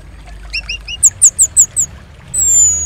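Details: Orange-headed thrush song played to stimulate other birds to sing: three paired whistled notes, then a quick run of five sharp high chips about 0.2 s apart, ending in a long, thin, descending whistle over a low steady hum.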